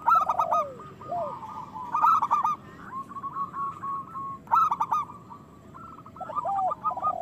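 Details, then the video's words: Local zebra dove song, used as a lure to rouse idle doves into singing and breeding: bursts of rapid, stuttering coos repeated at a steady pitch, mixed with lower sliding, downward-curving notes, the bursts returning about every two seconds. "Perkutut lokal gacor Suara Besar Pancingan Birahi Cepat Bunyi"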